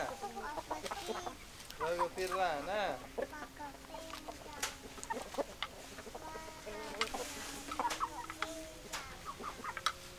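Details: Chickens calling together, mixing low steady drawn notes with a quick warbling, up-and-down cluck series early on, scattered short clucks and sharp clicks throughout.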